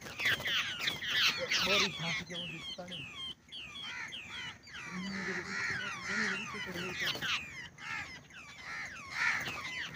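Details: Babblers near a bird net trap chattering in a busy overlapping flock chorus of harsh, scratchy, downslurred notes over ten seconds, with human voices talking low in the background.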